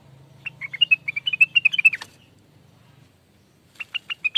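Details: ['Lure recording of a greater green leafbird (cucak wilis): a fast phrase of bright whistled chirps lasting about one and a half seconds, a pause, then a second phrase beginning; faint low hum at first.']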